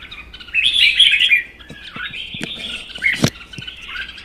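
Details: Red-whiskered bulbuls, two caged birds, one a wild-caught adult kept one season, in a singing duel: bright warbled phrases at the start, then softer notes with sharp clicks and knocks.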